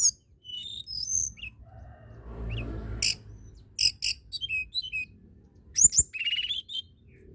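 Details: Lively hill blue flycatcher song made of scattered high chips, thin whistles and short falling slurs, broken by sharp clicking bursts, with a soft low rustle in the middle.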